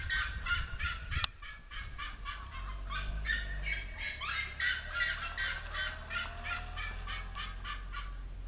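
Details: Red-legged seriemas singing beside a road in the São José district of Conselheiro Lafaiete, Minas Gerais, Brazil: a continuous run of loud, harsh yelping notes with rich overtones, about three per second, over a low rumbling background.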